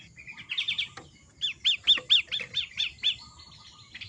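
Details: Long-tailed shrike training song for caged birds: scratchy opening notes, then a steady run of about ten sharp, downcurved chirps, fading into softer trailing notes.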